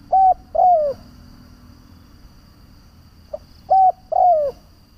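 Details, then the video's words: A decoy spotted dove calls to draw in other doves. Two phrases about three seconds apart, each a faint grace note, a level coo, and a long coo that falls at its end, in a quiet setting. "Tiếng Chim cu Mồi gáy gọi - Chim cu gáy kích bổi nhanh nổi hiệu quả"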